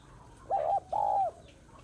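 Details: Female spotted dove calling to stimulate males: a soft two-part coo, a short level note followed by a longer, steady, slightly falling hoot, with a quiet background.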